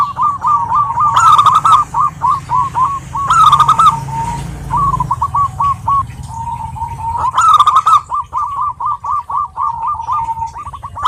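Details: Female zebra dove, local type, calling a male over about eleven seconds: long fast runs of staccato coo notes, broken by three harsh rattling bursts and a brief lull midway.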